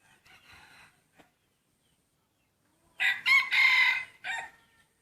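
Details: Breeding rooster crowing in a first crowing contest between main breeder cocks: after faint background sounds, a loud harsh crow in four segments, a short opening burst, a long sustained middle and a clipped final note.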